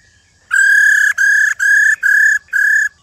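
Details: Wild-caught old female silver-eared laughingthrush giving a series of five steady, level, ringing whistles, each about half a second long and separated by short gaps, used to spur males into song.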